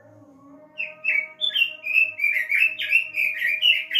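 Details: Kept robin singing, used as a lure to get other caged birds to sing: a fast run of bright, slurred warbled phrases, about three notes a second, over a steady low electronic hum.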